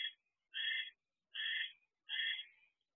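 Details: Inside a nest box on 25 December 2023 at 6:52 pm, a barn owl pair during a food delivery from male to female: three hoarse, hissing chirrups, each under half a second, spaced evenly about three-quarters of a second apart.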